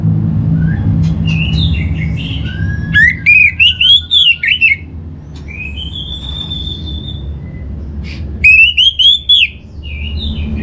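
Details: Orange-headed thrush song, played as a lure to prompt other birds into full song: varied whistled phrases, rising and falling slurs between bursts of sharp chirps, with a steady low hum underneath.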